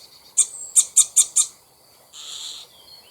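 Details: Alarm call of a common starling at its nest tree just before a raptor strikes: a burst of five sharp, very high clicks in quick succession, then a longer hoarse, hissing note.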